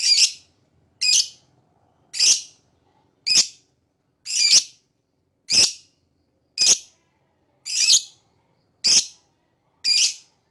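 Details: Lovebird chirping: sharp, high, harsh chirps repeated about once a second, evenly spaced, with nothing else heard.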